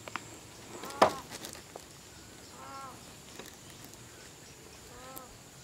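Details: Wild green peafowl in Phayao province, northern Thailand, flocking toward evening during the November–March counting season; two clear nasal, ringing calls with stacked harmonics, preceded by a sharp click, in a quiet rural setting.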